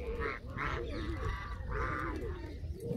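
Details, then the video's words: Canada geese giving a few short harmonic honks in quick succession, over a strong low rumble of wind or background noise. "وز كندي"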